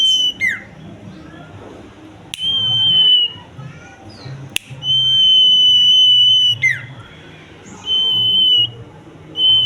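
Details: Common iora singing: drawn-out flat whistles, some short and some over a second long, each closing with a sharp falling slur, repeated several times against soft background rumble.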